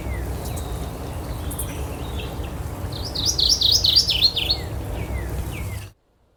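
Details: A Mourning Warbler, photographed while hiding in dense shrubbery on a bright sunny midsummer day at Horn Pond, eastern Massachusetts, sings a rich, rolling phrase of about five quick paired notes; other birds give faint downslurred calls over low rumble.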